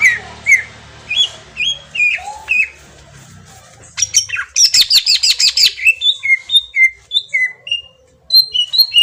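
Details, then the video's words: Green leafbird song used as a lure to make another bird respond: clear whistled notes with sliding slurs, then a fast burst of rapid repeated buzzy chips around the middle, followed by spaced descending whistles. "pancingan cucak ijo auto nyaut bunyi langsung"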